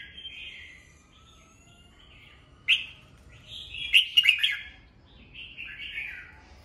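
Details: Cage-kept red-whiskered bulbul singing in the morning for voice training of young birds; soft slurred whistles give way to a louder cluster of sharp, chirpy notes near the middle, then gentle descending warbles.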